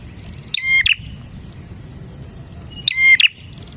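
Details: Bar-winged prinia in lively song, used as a lure and tutor song for other prinias: two short bursts of sharp, ringing chirps with metallic harmonics, about two seconds apart, over a steady high insect-like hum.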